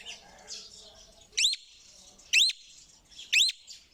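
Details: Parrot repeating a loud, rising, ringing squawk about once a second, three times, over faint background twittering.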